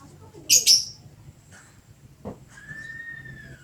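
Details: Very active lovebird singing: two loud, piercing chirps in quick succession, then a soft knock and a faint, thin, steady whistle.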